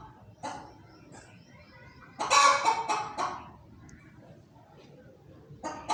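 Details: Hen making noises: a few soft clucks, then a loud raspy squawking burst lasting about a second, quiet pause, and another squawk starting at the end.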